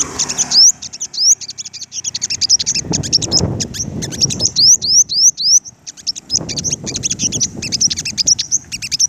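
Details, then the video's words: Flock of five-coloured sunbirds clashing with dominant leaders: busy high chattering chirps mixed with strings of rising whistled upsweeps, over bursts of low rustling noise. "Bây chim hút mật 5màu đối đầu với những con " Đ.ầu đ.àn ""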